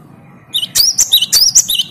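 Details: Great tit answering a recorded lure of another great tit in full song: after a quiet start, bright high notes with rising slurred whistles are repeated rapidly in short paired phrases.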